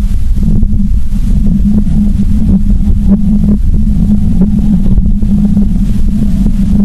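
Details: Heavy low rumble of wind buffeting the microphone, with a steady motor-like drone throughout and no animal calls.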